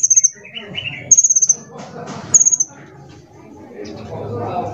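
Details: Kolibri, the sunbird prized for its varied voice as a lure for other birds, utters three quick high rattling trills in the first three seconds, then quieter mixed low background sound.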